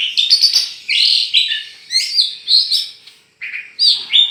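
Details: Champion oriental magpie-robin, tame and let loose in Meulaboh, Aceh, sings short high whistled and buzzy phrases in separate bursts, each sweeping up or down, with quiet gaps between.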